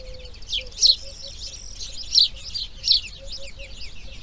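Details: Grey herons breeding at the nest on day two: a few loud, scratchy high chirps about a second apart, with a soft low steady tone beneath.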